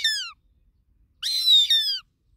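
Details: A goshawk gives shrill, harmonic, whistled squeals. The tail of one call falls away, then a second longer call follows after a short pause, breaking briefly midway before sliding downward.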